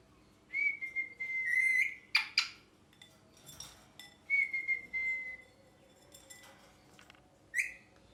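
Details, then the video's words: Pet rose-ringed parakeet, a talking parrot, gives long level whistles and short sharp squeaks in irregular bursts, with quiet gaps between them. "Parrot Chirping Sounds"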